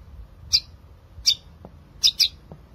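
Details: Long-tailed shrike in vigorous 'gacor' song, a recording meant to prompt reluctant shrikes to sing: four short harsh chirps, spaced irregularly with a pair near the end, over a quiet low hum.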